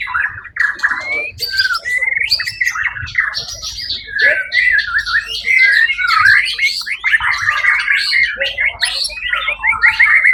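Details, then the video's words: White-rumped shama performing at the Suara Agung songbird event, 1 October 2023, where it won first prize; long unbroken medley of rising whistles, harsh chatters and rapid trills varying in pitch throughout. "murai batu predator juara 1 di ivent Suara Agung 1 okt 2023"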